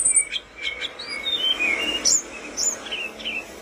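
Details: Tledekan gunung flowerpecker singing vigorously, recorded for songbird tutoring: scattered thin high whistles and short descending slurs over a steady hiss, with a few sharp chips.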